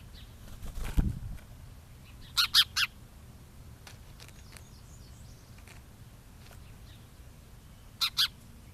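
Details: A small, vocal bird visiting for bread gives a quick burst of three harsh, scratchy calls, then a matching pair of calls later on. A loud thump of flapping wings comes early, over steady low background rumble.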